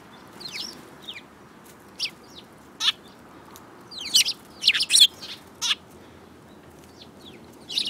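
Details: A group of sparrows in March 2018: bright, quick chirps scattered through the recording, clustering into a busy run of overlapping notes near the middle, against faint constant hiss.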